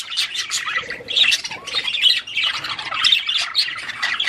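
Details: Budgerigar song meant to stimulate mating, a busy stream of scratchy chirps, squeaky whistles and harsh chatter, several birds overlapping in rapid bursts.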